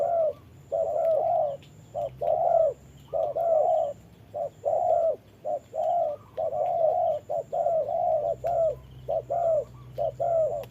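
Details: A decoy spotted dove in a trapping setup faces off against a wild bird during rain; dense, overlapping soft coos pour out in irregular bursts of short and long notes, with a constant low rumble underneath.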